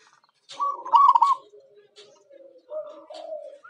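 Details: Zebra dove of local stock used as a lure: a short bubbling trilled coo, followed by softer low drawn-out coos.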